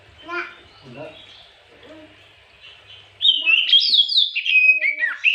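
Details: Provoking lure song of an Oriental magpie-robin in the afternoon: quiet faint notes at first, then a sudden loud stream of high, rapidly varying whistles and sweeping slurs.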